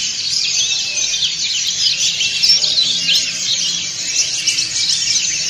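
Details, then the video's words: Ngriwik chorus from a flock of white-eyes, dakun and montanus types, all singing at once; overlapping rapid high-pitched twitters and short sharp chirps form an unbroken shimmering texture. "PLECI DAKUN NGRIWIK BERJAMAAH"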